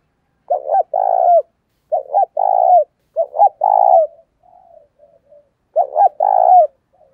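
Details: Spotted dove used as a decoy bird to provoke others: four loud, deep two-part cooing phrases, a short double coo then a long rolling croo, with soft, quieter coos trailing between them.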